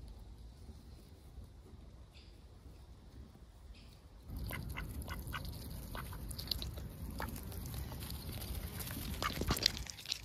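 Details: Lively ducks under heavy overcast, filmed close: quiet background at first, then from mid-clip a busy stream of short quacks and rustling, growing louder and denser toward the end.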